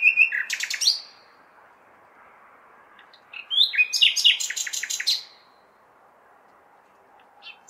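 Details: Common nightingale singing at night in May in a big city: two loud bursts of rich, varied notes with sharp trills and whistles, separated by pauses, and constant city background noise.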